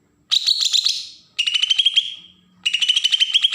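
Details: Harsh besetan song of a Kalimantan green leafbird from Berau, used for baiting freshly caught birds: three loud grating phrases of fast pulses, each fading away, with a faint low hum in the background.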